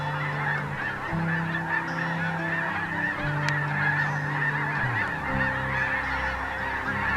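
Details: A huge flock of thousands of snow geese, with some blue morphs and Ross's geese mixed in, circles in small groups to land at a roost: a dense, unbroken roar of overlapping nasal honks over a steady low hum.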